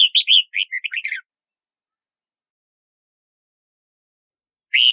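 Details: Red-whiskered bulbul calling with a burst of harsh, buzzy chirps run together for about a second, followed by silence and one more rough chirp.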